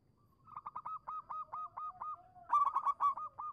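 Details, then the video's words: Zebra dove of a local type singing as a lure for doves that have stopped calling. A fast train of short, rhythmic cooing notes builds into a louder closing flourish. "suara burung perkutut lokal manggung pancingan cepat nyaut untuk perkutut macet bunyi"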